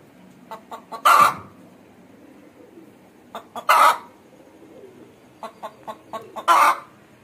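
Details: Aseel hen: three rough squawks, each preceded by a short string of soft clucks, spaced about two and a half seconds apart.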